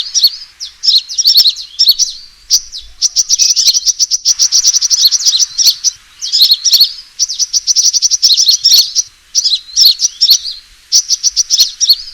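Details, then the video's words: Sunbird fighting call used as a trapping lure: long stretches of rapid, shrill chirps and trills broken by several short silences. "suara pikat burung kolibri tarung"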